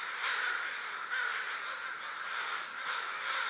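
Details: Crows hanging out together in a big gathering ahead of roosting: continuous, overlapping raspy cawing from many birds, loud and unbroken throughout.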